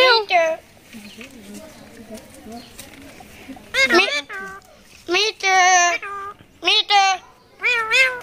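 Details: Rose-ringed parakeet talking in quick, chattering bursts of nasal, voice-like syllables, some shrill and trilled, with soft low murmuring voices in the background between phrases.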